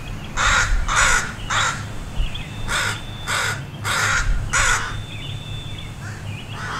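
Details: Parent crows and allies, alarmed at a dog beside two juvenile crows learning to fly, hurl harsh caws in two clustered runs separated by a brief lull, over a low steady hum.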